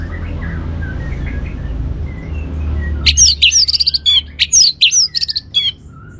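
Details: Orange-headed thrush song used as a lure to stimulate other birds to sing. Faint scattered whistles at first, then a loud, rapid run of varied bright whistled and trilled notes in dense bursts over the last three seconds.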